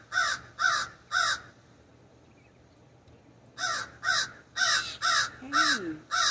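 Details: Common raven perched in an ash tree in a backyard, giving harsh, hoarse caws, a burst of three, a pause, then a quicker run of seven, some with a lower croaking tone.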